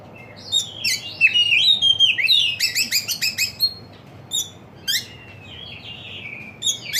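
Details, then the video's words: Songbird singing a pleasant chirping song: quick high whistled and tweeting notes, a rapid stuttered run of sharp chips in the middle, then sliding whistles, with brief pauses between phrases. "suara kicauannya enak di dengar"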